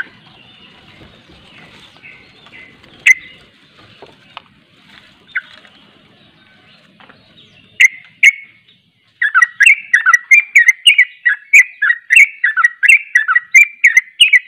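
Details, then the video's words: Sooty-headed bulbul singing in the rapid 'ropel' style, with another bulbul joining in. The bird is quiet at first with scattered sharp notes, then from midway it gives a fast run of loud, bubbly, chattering notes about twice a second. "Ropelanya Bikin KAGET Trucuk Lain Ikut Ropel"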